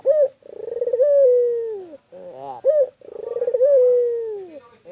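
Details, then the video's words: Persistent calling from a white Barbary dove. Quick chattering pulses build into a drawn-out level coo that sinks at its close, each phrase opened by a short clear note, two phrases in all. "Burung Puter Putih gacor Panjang"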